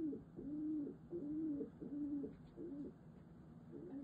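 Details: Female pet pigeon cooing indoors while bowing to her owner as an affection display: low, rolling coos repeated about every half second in a steady, throbbing rhythm.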